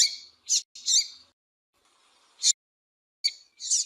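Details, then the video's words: Calling female double-collared seedeater, a sound breeders use to excite males: bright high squeaky chirps, one pair in quick succession at the start, then single notes after a gap, some notes harsh and buzzy. "Piado de Fêmea de Papa capim pra Esquenta papa capim"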